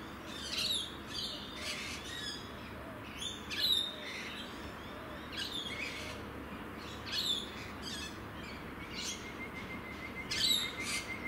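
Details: Rainbow lorikeets in the evening in Adelaide, South Australia, give sharp, screechy chirps and squawks in scattered bursts.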